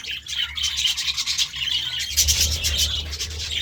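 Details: Budgerigar chattering in the morning with steady rapid chirps and scratchy warbled notes, growing fuller and louder in the second half, a low hum running throughout.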